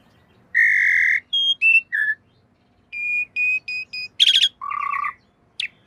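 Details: Master recording of a Javan pied starling for cage-bird training: a long steady whistle, short tonal notes, a row of five clear whistles, a buzzy burst and a lower nasal note, over faint background hum.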